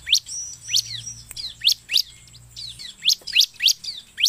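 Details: Bar-winged prinia singing lively, used to lure birds: sharp high chirps with steep upward sweeps, given in irregular bursts about every half second, with a faint low hum beneath.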